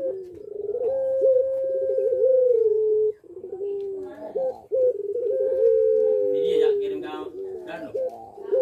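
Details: Barbary dove of the puter pelung type, cooing eagerly in breeding condition: long sustained coos broken by short stuttering notes, with a brief pause and faint rustling near the end.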